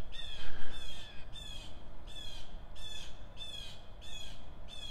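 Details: Blue jays in woodland, stirred up by a red-tailed hawk, give harsh, nasal jeering calls about every two-thirds of a second, seven in a row, over a steady low rumble of wind.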